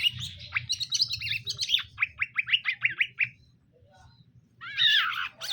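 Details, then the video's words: Male and female greater green leafbirds kept caged and being paired: a rapid string of crisp down-slurred notes lasting about three seconds, a short pause, then a dense chattering burst. "cara menjodohkan burung cucak ijo Supaya Cepet akur"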